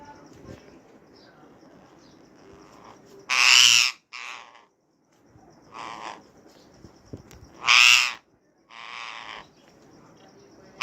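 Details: Indian ringneck parakeet giving a mating call: loud, harsh screeches about four seconds apart, each followed by a softer rasping note, over a low hum.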